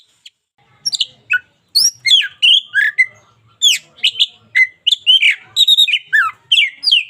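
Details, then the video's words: Local white-rumped shama delivering fast, varied song of squeaky chirps and sharp downslurred whistles, about three notes per second, with some harsher squawky elements. "KACER LOKAL GACOR SUARA UNIK COCOK UNTUK MASTERAN HARIAN!"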